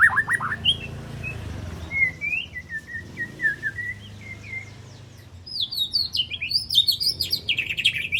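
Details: Three-month-old spotted juvenile white-rumped shama practising fill-in phrases and sharp bursts: a short run of whistled notes, a string of slurred mid-pitched whistles, then quick high twittering notes in a rapid jumble over a low steady hum.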